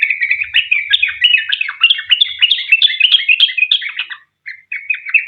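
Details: Sooty-headed bulbul giving energetic long 'ropel' song as a lure for other bulbuls. Quick chirping notes run for about four seconds, then a brief pause before a few more short phrases.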